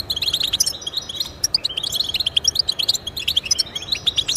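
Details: European goldfinch singing, meant to stimulate pet goldfinches into song: bright rapid twitters and clipped chirps tumbling in quick succession, with overlapping high tinkling phrases.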